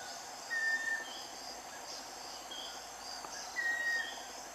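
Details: Pure, level whistled notes from a scaly-breasted wren, two in about three seconds, each ending with a slight drop, set against dense insect hum.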